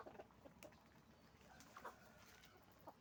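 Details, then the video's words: Hens and roosters making noise on a chicken farm: scattered short, nasal clucks, a few grouped at the start and a louder burst near the middle, against a steady low background murmur. "the sound of a chicken farm, roosters and hens making noise"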